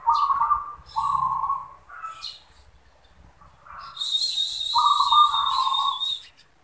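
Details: Kept zebra dove singing: a few rolling trilled coos, then a pause, then a long, high, steady whistle overlapping a final purring coo phrase.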